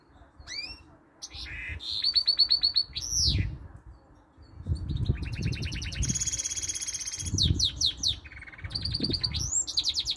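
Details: A male pet goldfinch-canary mule, which sings all day long, sings a bright, fast medley of twittering phrases, rising whistled sweeps and buzzy canary-like rolls over a low indoor rumble.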